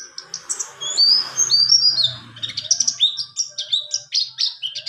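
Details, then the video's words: Rolling 'ngalas ngerol' song from a buxtoni white-eye, used to tutor other birds: high twittering whistles and slurred notes in quick succession, over a low droning hum and background noise. "pleci buxtoni Ngalas ngerol cocok sekali untuk#masteran burung"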